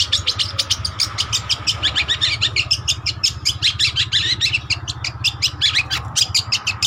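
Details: Trotol long-tailed shrike singing energetically, recorded as a lure or master song: a rapid, unbroken stream of sharp scratchy chatter and squeaky notes, over a constant low engine-like hum and a thin steady tone.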